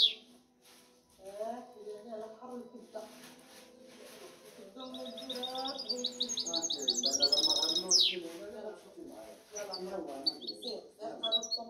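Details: A European goldfinch hybrid begins quietly, then breaks into rapid high trills that climb to a bright burst and a sharp descending sweep, followed by scattered chirps; low warbling sounds continue throughout.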